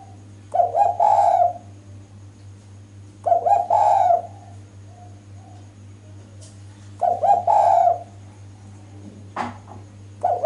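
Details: Female spotted dove cooing loudly to draw males. Four repeated phrases, each a short broken note then a longer rough coo, are spaced about three seconds apart. A sharp click and a faint low coo fall between them, with a constant hum throughout.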